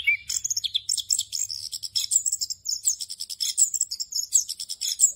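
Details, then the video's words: Orange-headed thrush singing a ngerol-style rolling song full of filler phrases, used as training material for other birds. It is a fast, unbroken stream of high twittering and chattering notes with short whistled slurs, and no other sounds are heard. "ANIS KEMBANG NGEROL FULL ISIAN EFEKTIF UNTUK MASTERAN ANIS KEMBANG BAHAN AGAR CEPAT GACOR"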